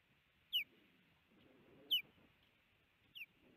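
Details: Male osprey at a nest cam in Missoula, Montana, on 17 April 2019, alerting as the female arrives with a big fish; three sharp, high, downslurred whistles roughly every 1.3 seconds, the last softer, over faint low rustling.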